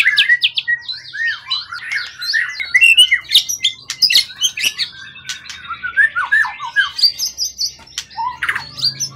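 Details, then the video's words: Long-kept, calm competition bird caught in the forest, tail 20 cm or more, in top form: a fast stream of chattering chirps, downslurred whistles and clicks, sliding notes and brief buzzy trills, barely pausing. "Burung event ori hutan ekor 20cm up lg on banget prestasi burung hutan gk giras ya rawatan lama."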